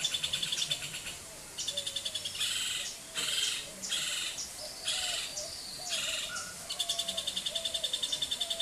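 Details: A Hoffmann's woodpecker (Melanerpes hoffmannii), a resident breeding bird, calls in harsh, high, rattling bursts, each under a second, repeated in quick succession, over soft lower whistles from another bird.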